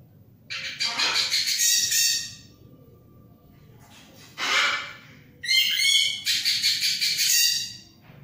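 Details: Orange-headed thrush in energetic song: rich, rapidly trilled phrases spanning a wide pitch range, delivered in three long bursts with short gaps, over a low steady hum.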